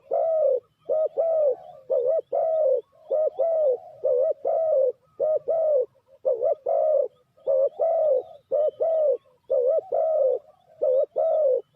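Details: Continuous spotted dove cooing, the kind used as a lure in trapping: loud, throaty double and triple coos repeated almost without pause throughout.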